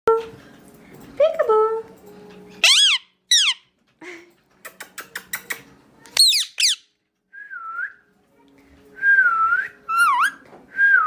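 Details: Pet parrot whistling indoors in a small room: a run of varied whistled notes, some steeply rising and falling sweeps, short clicks and chatter, and a few warbling mid-pitched whistles near the end.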